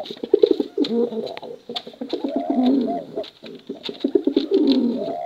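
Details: Continuous bekuran cooing from male and female pigeons in competition style, with overlapping throaty, bubbling coos and rising notes, plus frequent sharp clicks.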